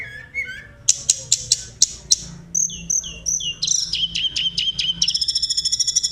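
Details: Sunda robin singing in a rolling, whistling style to excite other birds: low slurred notes, sharp clicks, repeated high whistles and rolled phrases, ending in a fast, buzzy trill.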